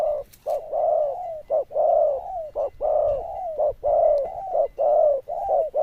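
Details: Zebra dove with a loud bell-like voice and good cooing, giving a steady run of rolling, mid-pitched coos about one per second, each note gently rising then falling, with short gaps between phrases.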